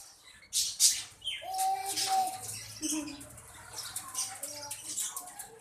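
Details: Indian parrot talking and saying "Mian Mithu": a few squawky, tonal syllables, one held mid-pitched note near the start, then scattered short chirps and rustling wing-flap bursts in a quiet room.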